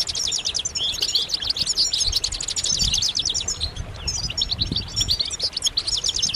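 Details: Multiple European goldfinches twitter together, giving calls meant to stimulate males to sing. Dense, bright, fast-repeating chirps and short trills fill the clip almost without pause, with faint low-frequency noise underneath.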